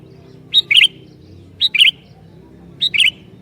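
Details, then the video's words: Sooty-headed bulbul singing to provoke other bulbuls, three phrases roughly every 1.1 seconds, each a clear high note followed by a brisk two-note chirping flourish; soft hum in the background. "Burung Kutilang Gacor Ini Sangat JAGO Mancing Kutilang LAIN"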